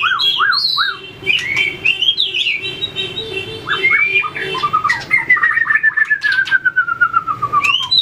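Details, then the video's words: White-rumped shama trained for fighting song, flicking its tail and hopping between perches: quick rising whistled notes, then a long descending whistle sliding down over two seconds, with scattered clicks in the background. "luyện chòe lửa hót đấu,đập đuôi chạy cầu"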